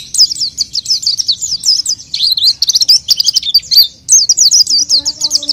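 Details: Oriental white-eye used as a lure, singing rapid high twittering phrases of sharp repeated notes; a faint low hum enters near the end.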